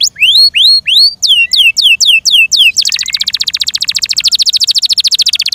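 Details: Song of a Yorkshire canary kept in captivity: a series of clear downslurred whistles, then a long, fast, high rattling trill of rapid repeated notes.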